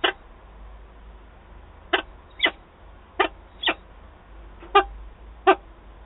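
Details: Peregrine falcon at a Wałbrzych nest site in Poland, 8 August 2022, with birds meeting: widely spaced harsh notes, mostly in pairs about half a second apart, separated by quiet gaps over faint hum.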